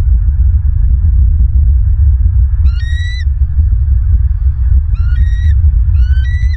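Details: Bald eagle calling at a nest in Southwest Florida, 16 December 2022, early afternoon: three bursts of thin, high, rising chittering notes in the second half, over a constant heavy low rumble of wind or microphone noise.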